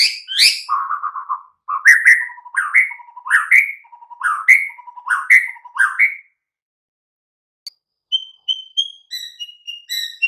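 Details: White-rumped shama song used as a training recording to prompt silent, listless captive shamas to sing. Whistled sweeping notes, a low buzzy trill, then rising slurred phrases repeated about every half second, ending with high pure whistles after a pause.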